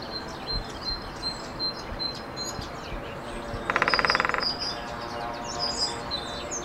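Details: Lesser spotted woodpecker in the Ariège piedmont, France, April 2023. A single quick rattle-like run of even, closely spaced pulses, with thin high notes from other birds and constant background noise.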